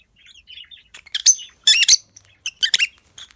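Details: Peach-faced lovebirds of both sexes in a breeding colony with new babies: soft warbled twitters build into loud, harsh, rapid squawking chirps in short bursts.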